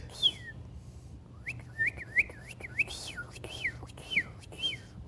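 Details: A small Carolina wren, already singing out of season after a mild late-year spell, sings a surprisingly loud, rolling series of clear, whistled two-part phrases, about three per second, over a faint low hum.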